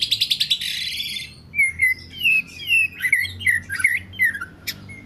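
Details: Oriental magpie-robin singing: a quick burst of harsh rattling notes, then a string of clear whistled phrases with slurred, wavering notes, each repeated about every third of a second, with a brief sharp click near the end.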